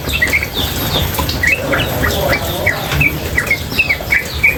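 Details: Female sooty-headed bulbul (trucukan) calling nonstop in rapid ropel style. Short, sharp, slightly rising chips repeat about every quarter to half second against a steady background hiss and low rumble.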